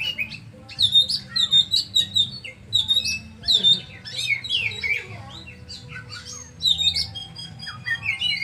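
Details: Kacer, the oriental magpie-robin, delivers a rich jumble of sharp whistles, squeaky slurs and fast twittering trills in irregular bursts, loud and high-pitched throughout, with a faint low hum underneath.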